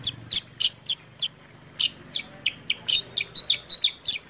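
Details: Sooty-headed bulbul sound used as a lure to prompt birds to sing: sharp, high chirps repeated irregularly about three times a second, each a quick bright note with a clicky edge, over a quiet low hum.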